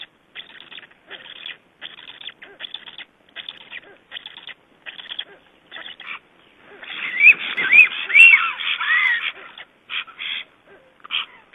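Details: Black stork returning to his just-hatched chicks at the nest in Estonia, 2012: soft, hoarse notes about twice a second, then a louder burst of rising, whistled squeals for a few seconds.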